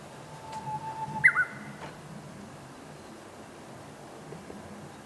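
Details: At Zama Yatoyama Park, Kanagawa, Japan, on 16 May 2023, a young Japanese bush warbler sings in a spring-fed valley: a plain, held whistle of about a second, then a short burst of higher, twisting notes, followed by quiet.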